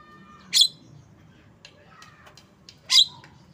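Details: Two loud, scratchy squawks from a Javan myna (jalak kebo), separated by softer clicks and faint chatter, over low background hum.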